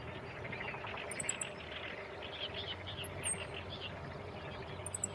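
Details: Male meadow bunting on a tree branch near a fairly large irrigation canal, carrying food, with a nest and chicks possibly nearby, 28 May 2017, filmed on a Panasonic DC-FZ85 with wind-noise reduction: faint, high, short chirps in quick triplets at intervals over steady low background noise.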